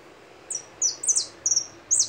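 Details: Goldfinch giving five separate high, bright twittering phrases, each a quick downward slur, spaced about half a second apart against a quiet background.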